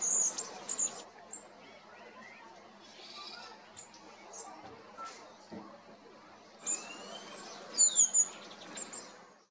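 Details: Long-tailed tit giving thin, very high see notes in brief bursts at the start and near the end, with quieter murmuring background noise between.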